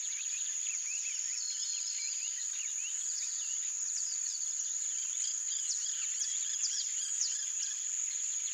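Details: Wild yellow-rumped marshbirds in Brazilian nature giving many short overlapping chirps and slurred whistled notes, a busy chattering flock, over a steady high, shrill insect drone.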